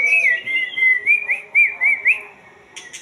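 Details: White-rumped shama song: a string of clear whistled notes, each briefly rising then falling, a short sliding phrase repeated about four times a second, ending with a few dry clicks.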